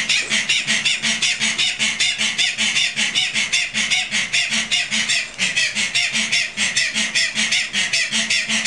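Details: Tasmanian native hens under a bridge at Wings Wildlife Park, Gunns Plains, Tasmania, Australia, recorded at astronomical twilight an hour after sunset on 12 October 2012, give loud rasping screams repeated rapidly, about two and a half per second, in a harsh continuous chorus.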